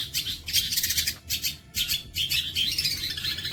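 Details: Bolo panjang song of a long-tailed shrike, used for tutoring other songbirds: dense scratchy chatter broken by brief gaps, with thin high whistled notes threaded through the later phrases.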